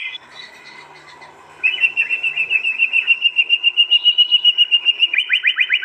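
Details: Captive contest white-rumped shama from East Java, recorded by phone for a master track. After a faint murmuring start, a steady rapid trill of evenly pulsed notes runs on, ending in quick loud high chirps.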